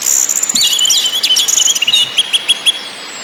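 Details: Orange-headed thrush (anis merah) song in the ngakrak, ngeplong and nyiul styles: high whistled phrases with slurred notes, then a run of short sharp chips repeated about three times a second, over a thin high hiss.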